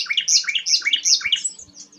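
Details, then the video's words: Rare sikatan londo flycatcher delivering a bright, high warbling phrase of quick looping whistled notes, rising and falling continuously for about two seconds. "burung langka sikatan londo"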